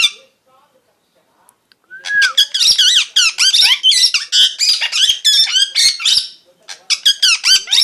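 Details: Parrot chirping: after a quiet first two seconds, a rapid, continuous stream of high, twittering chirps and warbles fills the rest, with brief pauses near the end.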